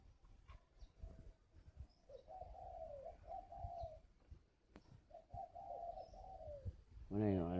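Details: Caged spotted dove from a bird garden in Ba Vi, Hanoi, northern Vietnam, cooing just after a previous bout: two drawn-out, hollow low coo phrases, each wavering slightly and ending in a falling note, separated by a pause; a sharp clatter at the end.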